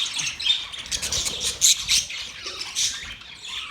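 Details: Birds chirping, recorded October 3, 2023: a dense chorus of many overlapping high chirps and squawks with no pause, several birds calling at once, steady background hiss.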